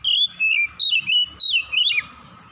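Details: Dusk song of an Oriental magpie-robin: a continuous sequence of five or six rich whistled notes, each bending downward and wavering, delivered in quick succession with short gaps.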